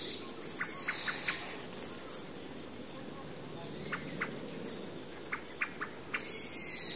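Pale thrush making soft, clipped 'kupipipi' throat notes in quick runs of three or four, with thin high squeaky notes at the start and end.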